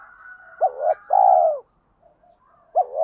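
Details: Spotted dove lure call: a short note and long falling coo, then another phrase starting at the end, over a faint steady higher tone.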